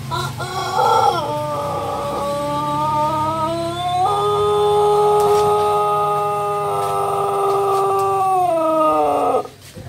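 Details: Pun Sonagar, a Pelung rooster that took second place at the Jajangkar contest in East Garut, gives one very long, drawn-out crow that holds a steady tone before dipping at the end.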